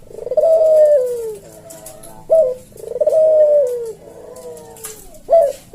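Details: Cage-kept collared dove (puter jawa) cooing in slow senggang style, a tutor and lure recording: long falling coos alternate with short sharp kuk notes, the coo-kuk phrase repeating about every three seconds.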